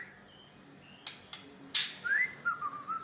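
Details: Medan-type white-rumped shama revealing its mimicked song material: sharp clicks and a loud snap, then a run of clear whistled notes that rise and gently waver, repeated in quick succession.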